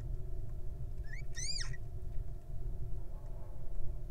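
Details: Little owl in the wild, recorded at the nest while a baby hatches from its egg: a short rising note, then a louder mewing call that climbs and falls, heard over constant low-pitched background hum.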